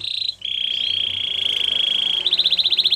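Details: Singing canary holding a buzzy, steady rolled note for nearly two seconds, then switching to fast repeated pulsed notes.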